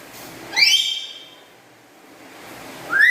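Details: A house-kept black-capped lory gives a loud, rising, slurred whistle with bright overtones that holds, then fades. A second upswept call begins at the end. The bird's chatter is described as melodious and loud.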